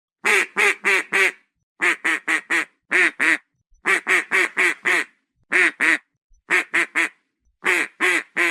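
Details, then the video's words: Duck quacking in quick bursts of three to five harsh, nasal quacks, each burst separated by short silences, repeated steadily with no other sounds. "SOM DE PATO"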